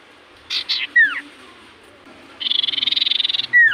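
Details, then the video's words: Common iora singing in full voice: two short buzzy bursts, sharp downward-slurred whistles, then a rapid pulsed buzzing trill lasting about a second before another falling whistle. "Burung sirtu cipoh gacor hitungan detik burung cipoh apapun pasti Langsung nyaut"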